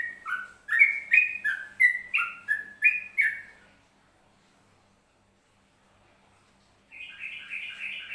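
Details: Yellow-vented bulbul, Central Java, singing ropelan style: a fast chain of loud, liquid whistled phrases for about four seconds. Silence follows, then a new burst of higher, trilled warbling begins.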